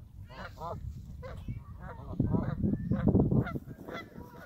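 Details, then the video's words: Canada geese at Hawreluk Park Lake giving a run of harsh, nasal honks in quick irregular succession, several overlapping, over a low background rumble. "Canada Geese: Just another day at Hawreluk Park Lake"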